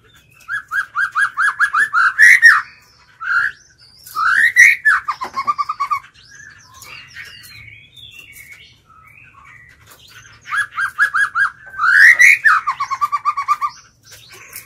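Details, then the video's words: White-rumped shama kept as a lure bird, singing to call and provoke wild birds to fight: loud whistled phrases with rising swoops and fast runs of repeated notes, in three bursts separated by quieter soft warbling. "Chích chòe lửa mồi hót gọi bổi"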